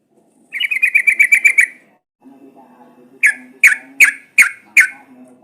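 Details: Sooty-headed bulbul, used as a lure to set other birds singing: a quick bubbly run of mellow whistled notes, a pause with a low hum, then five loud, separate, liquid notes spaced about half a second apart.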